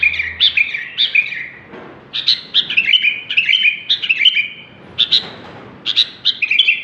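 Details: Sooty-headed bulbul, described as super gacor, giving lively bubbling whistled phrases. Quick notes bounce up and down in short bursts separated by half-second gaps, with a short pause near the start. Background quiet.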